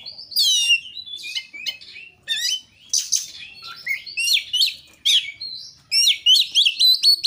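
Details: Oriental magpie-robin, called kacer, in full lure song for other kacer: downslurred whistles, buzzy bursts and chips, ending in a quick series of repeated upswept notes.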